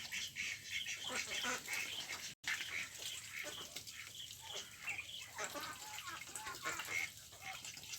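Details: Several ducks quacking together in a dense, overlapping chatter of harsh, nasal calls with no pause, apart from a brief dropout just before the third second. Faint high chirps sit in the background.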